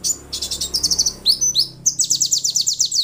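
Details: White-eye song used to trigger other caged white-eyes to sing: bursts of rapid high trilled notes and downward swept chirps above a faint low hum.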